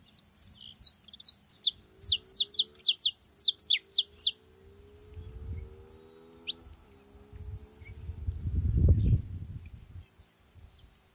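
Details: Saffron finches living free: a fast string of high, sharp, downslurred chips for about four seconds, then quiet with isolated notes and a rising low rumble like a passing engine.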